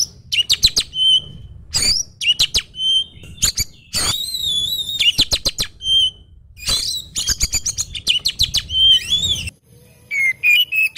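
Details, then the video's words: Caged oriental magpie-robin singing rapid chattering bursts of sharp chips and buzzy trills with occasional whistled notes, over low indoor background hum. "Kompilasi Suara Burung Kacer Berkicau Gacor"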